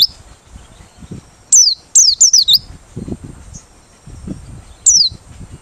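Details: White-eye from Merapi singing open-beaked, its song suited as a lure for trapping birds: high, thin notes sliding downward, given in a quick cluster of three, then a single note; soft low rumbling underneath.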